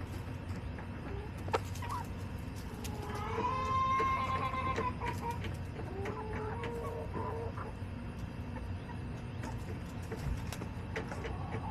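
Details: Backyard chickens on July 18, 2024; a long, tonal, harmonic crow-like call rises and holds for a couple of seconds, then a softer second call, with sparse clicks and a steady low hum throughout.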